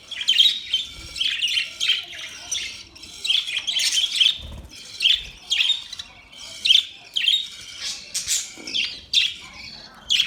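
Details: Budgerigars chirping, high clipped warbling chirps in short bursts about every half second, steady lively chatter with brief pauses.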